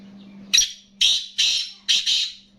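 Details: Caged black francolin, kala teetar, calling: loud, harsh, grating bursts, four to five rasping notes in quick sequence with short gaps, over a steady low electrical hum indoors.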